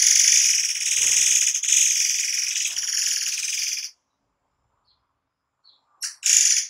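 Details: Forktail delivering tight, rapid-fire song bursts meant for tutoring cage birds: a nearly four-second run of shrill, buzzing, very high notes, silence, then two quick sharp bursts near the end.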